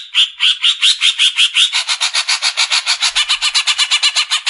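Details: Greater green leafbird, used as a tutor voice for caged songbirds, delivers a continuous series of rasping pulsed notes that quicken and grow denser after the first second and a half.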